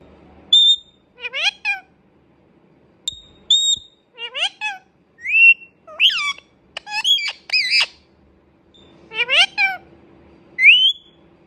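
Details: Indian ringneck parrot at home talking: a string of about a dozen short voice-like and whistled phrases, some clear flat tones, others raspy sweeping syllables, spaced by brief silences.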